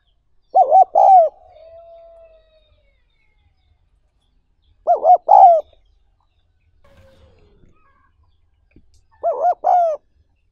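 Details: Spotted dove repeating its hollow three-part coo three times, about every four seconds, each ending in a drawn-out falling note, in a recording made to train decoy birds and stimulate freshly caught wild doves.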